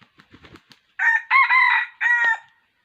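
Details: Wild red junglefowl crowing on 6 January 2021 during trapping with a decoy rooster, its hoarse crow like a young cockerel's: a few soft clucks, then a loud harsh crow in three bursts.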